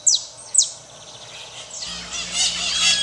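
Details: Maritacas in Brazil: two sharp, high downslurred shrieks, a pause, then a build-up of overlapping harsh, scratchy squawks as a flock grows louder, over a low steady hum.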